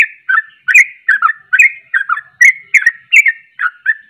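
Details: Sooty-headed bulbul in lively song, giving a run of about a dozen rich, liquid two-part whistled notes that dip then lift, spaced roughly every third of a second against a quiet background.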